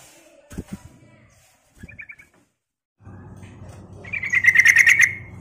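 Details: Sooty-headed bulbul lure call: a few clicks and soft chirps, then a low steady hum underneath, and finally a loud rapid rasping chatter lasting about a second.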